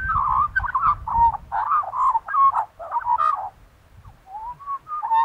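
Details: Australian magpie warbling steadily: rich, gurgling, fluted phrases that rise and fall, run together in quick bursts, then slower clear whistled notes after a short pause; faint low rumble at the start.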